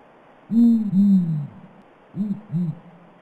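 Blakiston's fish owl giving very deep, muffled hoots: two longer booming notes, a pause, then two shorter, quieter hoots. A faint high whine sits in the background.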